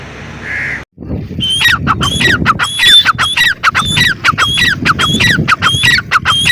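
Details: Grey francolin (teetar) calling loudly after a brief hiss and a gap: fast, ringing, harmonic notes repeated nearly twice a second, each a high clipped note followed by a sliding, falling phrase, in a steady run.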